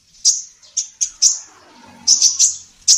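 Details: Female sunbird, locally kolibri ninja, singing actively for a songbird training recording: sharp, very high single chirps separated by short gaps, then a quick run of three closely spaced notes and a final chirp.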